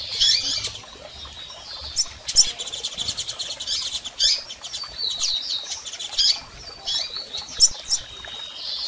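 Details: Male and female double-collared seedeaters giving calls to fire up a male: repeated high chirps and brief sweeping notes every second or two, mixed with many sharp clicks.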